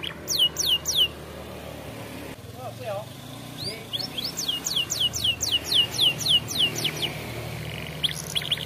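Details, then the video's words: Canary song used for training young canaries: bursts of rapid downward-sweeping high notes repeated in quick series, a brief pause near the middle, then a long run of fast descending trills; faint low background hum. "Canary Bird Singing Video Training Canaries - Canary Singing Like A Champion For Young Canary"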